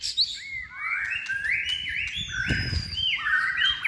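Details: White-rumped shama, a caged bird in its third season trained for contest singing, pouring out a rapid run of repeated upslurred whistles that step up and down in pitch, with a low background rumble.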